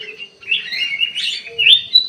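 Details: Black-crested bulbul in an aviary giving a lively burst of warbled, chirping notes that swoop up and down, ending in a sharp rising whistle; a faint low hum runs beneath.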